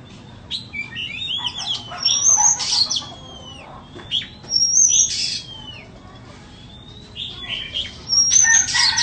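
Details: White-rumped shama, a bird offered for sale, singing separate phrases, each opening with a piercing high whistle followed by sliding whistles and scratchy notes, with quiet gaps between phrases.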